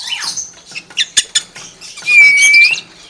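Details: Common hill myna kept as a pet: a few sharp clicks and squeaks, then a single long, loud, clear whistle held steadily with a slight bend, ending abruptly.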